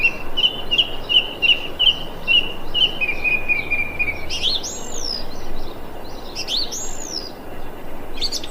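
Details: Thrush calling, recorded 25 February 2021: a rapid string of about ten short repeated notes held at a steady pitch for four seconds, followed by high swooping, arching whistles, over constant hiss.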